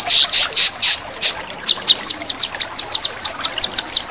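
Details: Male cucak kinoi sings: a few broad, harsh buzzy notes open the phrase, then a quick string of thin, sharp high chips repeated evenly, against faint background water.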